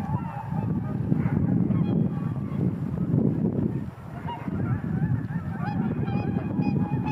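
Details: Flock of Cackling Geese taking off quickly, with scattered honking and yelping calls rising over a dense, low roaring rush of wings and movement.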